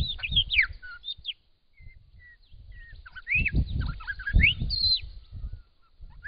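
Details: Busy, varied whistling from a Grey shrike-thrush in spring in Australia, with looping slurs, short level notes and rising sweeps packed closely together, over heavy low rumbling noise.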